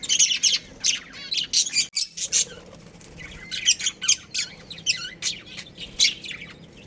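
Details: Chirping budgies from a breeding pair, pet birds: fast, busy high chatter of squeaky, rasping chirps and short warbled notes, almost continuous with a brief pause near two seconds.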